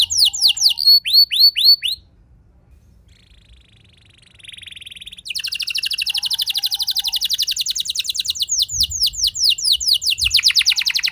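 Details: Canary rolling song ('ngeroll') intended to excite other canaries into singing: quick sweeping whistles, a pause with a soft buzzy note, then a long continuous high trill of rapidly repeated syllables.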